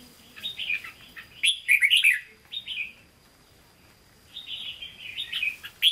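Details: Hue-style singing (hót ché) from a caged red-whiskered bulbul: lively slurred whistles building to a loud cluster of sharp notes, a silent gap of about a second, then more rolling warbled phrases.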